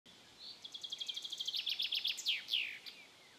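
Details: A common chaffinch perched on a birch branch on a spring evening sings a quick, bright run of repeated high notes that speeds up and ends in a few sweeping, falling flourishes. Faint background hiss.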